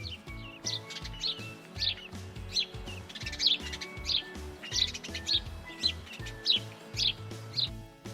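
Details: Wintering sparrows in Ukraine, in winter, chirp together as a flock in bright, short chirps in a steady run, roughly two each second, over soft instrumental music.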